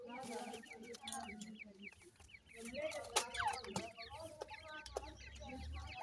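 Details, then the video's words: Francolin chicks (Irani teetar) peep rapidly and irregularly, many voices at once, over soft low clucks and a few sharp taps and rustles. "teetar chicks sound"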